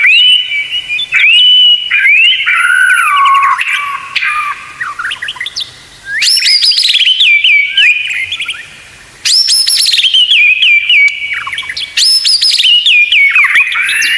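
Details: White-rumped shama tutor song full of tembakan fills: rich whistled phrases, bright upward-shooting notes and runs of falling slurs, repeated in loud bursts separated by brief pauses.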